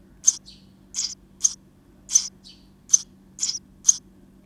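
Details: Nestlings in a nest box, active on 19 May 2023, produce sharp, noisy, high chirping bursts at irregular short gaps, some followed by fainter wheezy notes, over a low steady hum.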